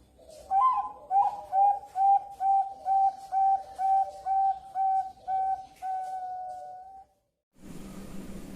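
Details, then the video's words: Female Bangkok-type zebra dove from Kebumen, Central Java, Indonesia, in front-voice ngayun style: a rising opening coo then about eleven mellow, even coos spaced half a second apart, a drawn-out final note, then noise. "Perkutut bangkok betina suara depan NGAYUN"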